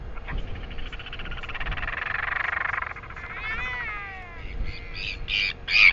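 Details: Northern royal albatross sky-calls greeting a bird touching down at the Taiaroa Head colony, New Zealand, Nov. 6, 2020, start of breeding season: a long, harsh, braying note, then wavering, falling moans and a few short, loud bursts near the end.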